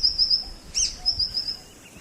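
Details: A White-throated Honeyeater in Kakadu National Park, Australia, gives a thin, very high, near-steady piping run of notes with one brief louder slurred note midway, over a faint low rumble.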